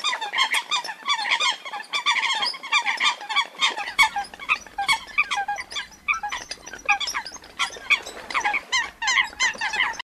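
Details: A female Eurasian coot, lost from its flock and calling for help, gives a dense stream of sharp, nasal squawks, several per second and often overlapping, with no pause.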